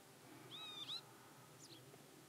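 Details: Hybrid Pied wagtail recorded on 4 May 2020 at Klokbekerweg, Ottoland, Netherlands: a thin, high, level whistled note ending in a sharp upward flick, then a fainter slurred note, over low background rumble.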